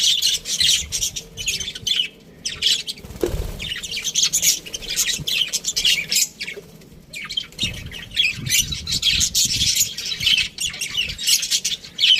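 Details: A crowded budgie aviary fills with overlapping high chirps, squawks and warbles that go on almost without pause, broken once by a low thud.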